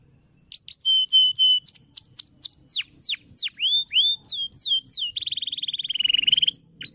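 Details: Canary in a cage giving a long rolling training song: clipped high notes and a flat whistle, then a series of downward-sweeping slurs, finishing with a fast buzzy trill that holds steady.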